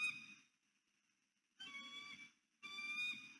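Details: Northeast Florida bald eagle pair at their nest in the Hamlet at first light, November 2019, greeting on arrival before mating: three bursts of clear, high whistled piping with stacked tones, the last two steady and drawn out.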